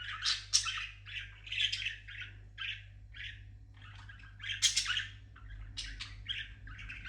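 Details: Parrot singing indoors: a continuous stream of varied chattering squawks and warbles, some notes loud and broad, others short and chirpy.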